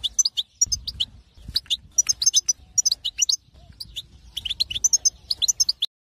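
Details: High, tinkling twittering song of a wild European goldfinch: quick sequences of sharp chirps and liquid notes in repeated phrases, with low background rumble underneath.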